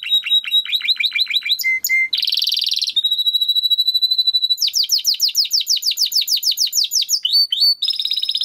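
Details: Timbrado canary training song: fast rolling trills of repeated dropping notes, a buzzy burst, a long steady whistled tone, then a rapid run of descending slurs and a closing buzz.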